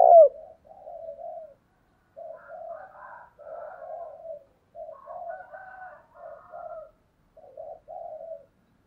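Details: Decoy spotted dove used to lure wild doves: a soft, low run of short hollow coos, each rising and falling, grouped in phrases with brief pauses between them, and a quiet background.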